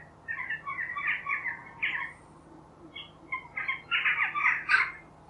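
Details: Chattering jackdaw (Corvus monedula): a run of short, harsh, rising calls strung close together, a pause, then a denser burst of louder overlapping notes near the end.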